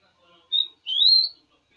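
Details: Rufous-collared sparrow gives a short steady whistled note followed by a longer rising whistled slur, clear and high, against quiet surroundings.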